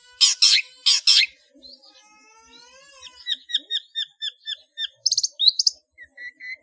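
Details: Long-tailed shrike song in the 'ngeplong' style, varied notes, recorded as a master for training cage birds: two loud harsh rasps, a faint pause, then a series of short clear whistled notes, then quick chattering bursts.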